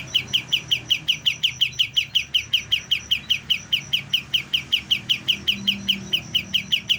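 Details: A juvenile white-eye starting to sing repeats crisp, high, clipped chirps in an even rapid stream, nearly three per second, with a soft low background murmur beneath.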